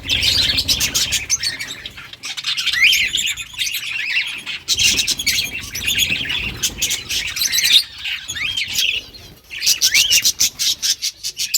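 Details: Australian budgies breeding together in a cage give a continuous babble of rising whistled chirps and harsh squawks, bursts of sharp clicking notes near the end, the flock noise pausing briefly twice.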